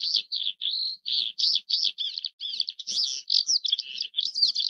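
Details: Oriental skylark (Alauda gulgula) song delivered as a string of short, high chirped phrases separated by brief gaps, some notes slurred and whistled, others buzzy, quickening toward the end.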